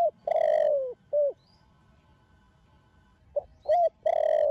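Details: Spotted dove cooing in the Thổ Đồng voice style, a young bird of the Thổ Sấm line, to rouse other doves. The end of one phrase with its long falling coo and tail note, a pause, then another full phrase begins.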